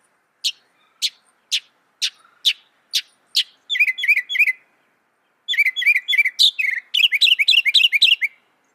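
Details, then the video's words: Northern mockingbird song opening with a slow series of single sharp high notes about half a second apart, then switching to fast, repeated buzzy chattering phrases, loud and rapid. "Masteran Burung Kicau Mockingbird Gacor - Mockingbird Bird Sound"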